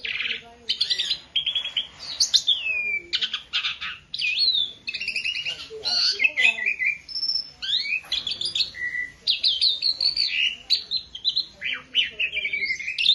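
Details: Dense, continuous singing from a beginner Asian pied starling, packed with harsh chatter, clicks and rising and falling whistled phrases with hardly a pause.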